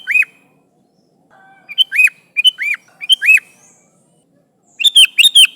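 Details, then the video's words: Sooty-headed bulbul calling its companions for use as a lure: a string of bright, arching, slurred notes repeated several times, ending in a fast burst of three or four chirps. "Suara Burung Kutilang Gacor Memanggil Temannya"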